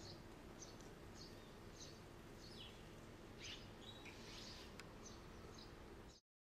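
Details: Short, high chirps from a red-rumped swallow, first in a regular series, then a denser burst of overlapping twittering notes midway, over low background noise that cuts off near the end.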